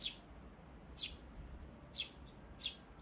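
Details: Young sparrow chicks, filmed 23 May 2024, cheep in quick high notes, four thin chirps arriving about once a second against quiet background hum.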